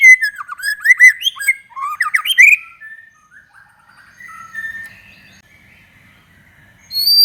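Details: White-rumped shama song used to provoke other shamas into singing: a loud rush of varied, sweeping whistled notes and trills over the first two and a half seconds, then quieter warbling phrases, with a sharp note at the close.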